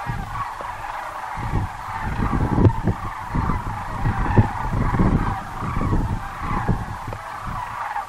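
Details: A large gathering of sandhill cranes at Muleshoe Wildlife Refuge in Texas calls continuously, with rattling, bugled notes blending into one unbroken chorus over a rumbling, gusty low background.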